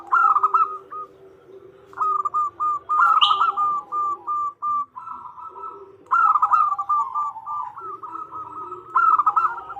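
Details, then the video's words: Zebra dove female calling the male, used as a lure: bouts of rapid clipped coo notes, each starting bright and sliding into a steady stutter, with one short buzzy chirp and faint lower hum. "Suara Perkutut Betina Memanggil Jantan"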